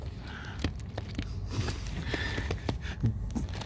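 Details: Shuffling, handling knocks and soft footsteps with a low rumble and faint murmured voices, with no animal call heard.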